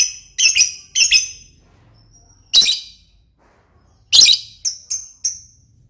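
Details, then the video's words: Lovebird giving loud, harsh, high-pitched squeaky chirps in short bursts, some doubled, separated by brief pauses, ending with a few thinner, clipped chirps. "burung Lovebird paling keren dan gacor"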